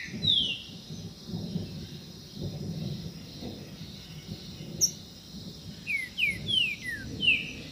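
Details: Green-winged saltator (Saltator similis) sings short, clear, downslurred whistles, one near the start, then a quick run of four or five near the end, over a low rumble and steady high hiss.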